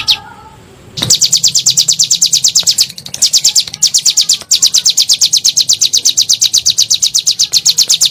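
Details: Bar-winged prinia in 'nembak' singing, a lure for kept birds: a short high note, then a sustained fast series of sharp, high-pitched chirps with slight hitches along the way.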